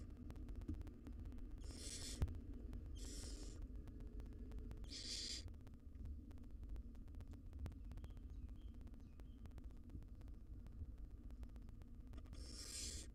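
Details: Nest-box recording of a wild barn owl mother feeding her nestlings; three short harsh hisses early, a long quiet stretch of hum and faint ticks, then one more hiss at the end.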